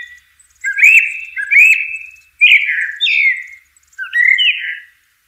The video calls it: sounds of the Blackbird bird